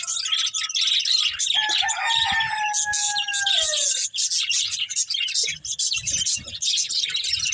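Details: Budgerigars enjoying green food fill the air with thick, continuous high twittering and scratchy chatter, with a few longer whistled tones sliding downward, and soft clicks of feeding below.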